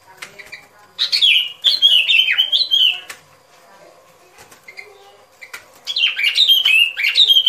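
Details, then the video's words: Sooty-headed bulbul in a lure recording for trapping: two bursts of rollicking, slurred whistles about two seconds long, separated by quieter background chatter. "Tiếng Chim Bông Lâu Mồi Chuẩn Mp3 || Âm Thanh Đi Bẫy."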